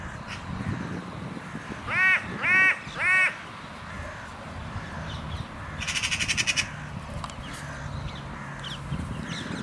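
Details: A carrion crow in a park gives three harsh, hoarse caws in quick succession. A magpie answers seconds later with a dry, rapid rattling chatter over a low background rumble.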